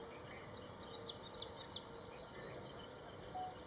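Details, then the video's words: Ashy prinia call: three sharp, very high notes, each sweeping quickly downward, given in a fast run about a third of a second apart, then silence over a steady background hiss. "bird call sounds of Ashy prinia"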